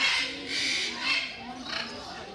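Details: Captive military macaws (Ara militaris) at Mysore Zoo, India, give harsh, raspy squawks, about four rough bursts in quick succession, with a murmur of voices in the background.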